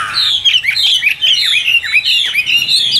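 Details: Chinese hwamei of the Tam Hoàng type singing loud, methodical phrases. Rich, fluid whistles dip and rise, linked by quick descending slurs in a continuous stream.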